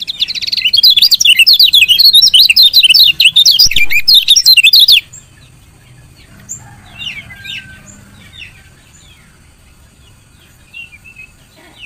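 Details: Female lemon-bellied white-eye chirping to stimulate lazy males to sing; five seconds of dense, fast, high twittering chirps, followed by quiet with faint distant twitters.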